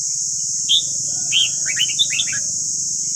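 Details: Red-whiskered bulbul singing in the morning as voice training for caged birds: a clear whistle, then a fast chattering phrase of short down-slurred notes, backed by steady hiss and a noticeable low humming rumble.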